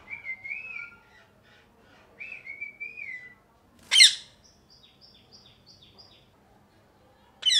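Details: Parrot sounds mixing two drawn-out whistles with wavering pitch, a sudden harsh squawk, a row of short clipped high tones, and a last sharp squawk at the end.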